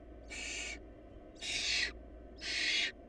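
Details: Hungry barn owl chicks emit three loud, broadband rasping screeches, each about half a second, spaced a second apart, over a soft steady hum.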